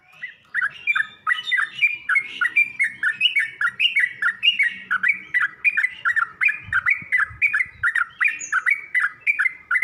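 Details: Yellow-vented bulbul singing in a recording used to train other bulbuls to sing. Bubbly two-part chirps with a dip and rise repeat rhythmically for the full ten seconds, with faint low knocks in the background.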